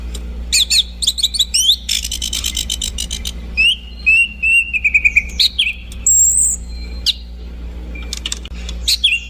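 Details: Orange-banded thrush in energetic song: quick chattering bursts and stuttered trills followed by long gliding whistles and a very high thin note, all repeated in varied sequence over a low hum.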